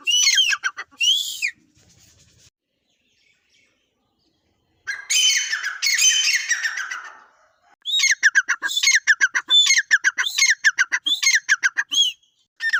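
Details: Partridge calls come in bursts: a few harsh arched notes, a pause, a noisy rasping stretch, then a quick regular series of ringing, clipped calls repeated roughly every half second.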